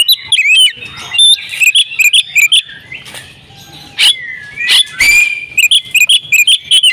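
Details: Domestic female oriental magpie-robin singing eagerly: crisp chirped notes in quick repeated bursts, a brief quiet gap, two harsh loud notes with a falling whistle, then another fast run of bright chirps.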